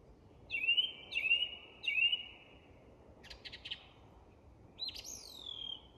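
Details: In English woodland at dusk, a song thrush gives three identical sliding whistled notes in steady repetition, then a dry rattling phrase, then a high swooping whistle; quiet hiss behind.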